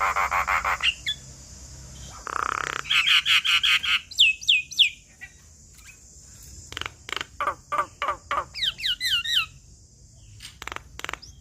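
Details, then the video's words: Black-winged starling song meant for training young birds: harsh buzzy bursts, then downward-slurred whistles and clicking notes in quick series, with a steady high hiss behind. "Jalak Kebo Gacor Full Isian Untuk Masteran Dan Paningan Burung Jalak Kebo Muda Hutan"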